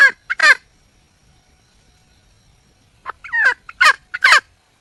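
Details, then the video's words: Wild junglefowl hen calling for a mate: two or three sharp, falling clucking notes, a silent gap of over two seconds, then a ragged cluster of four or five louder, harsh, uneven calls. "le bruit d'une poule sauvage,เสียงไก่ป่าร้องหาถู่หาตัวผู้,ສຽງໄກ່ປ່າຮ້ອງຫາຄູ່ຮັກ, poj qaib qus see"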